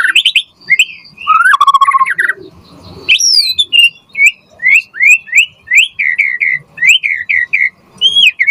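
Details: White-rumped shama singing loudly for other birds to imitate and answer: varied opening phrases, then a long series of rising whistled notes repeated roughly twice a second with short high accents.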